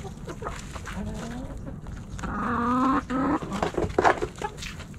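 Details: Backyard hens and roosters feeding on Thanksgiving snacks; drawn-out, wavering harmonic calls rise around the middle, then sharp, broken clucks with scattered clicks and background rumble.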